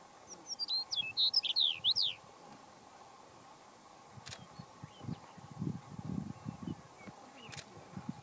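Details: A Chestnut-collared Longspur sings one sweet, tumbling warble of about two seconds at Pawnee National Grassland, Colorado, USA, on 29 April 2018. Low rumbles of wind follow, with a steady faint hum behind.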